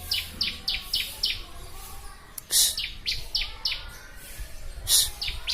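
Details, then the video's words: Ciblek or Bar-winged prinia singing repeated shrill, downslurred chirps, interrupted by a couple of loud rasping bursts; recorded as master material for training birds. "Masteran burung ciblek"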